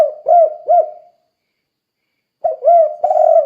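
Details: Spotted dove cooing energetically in the kuk-kuk style to train other doves: two soft, deep coos, a pause of over a second, then a longer, rougher cooing phrase.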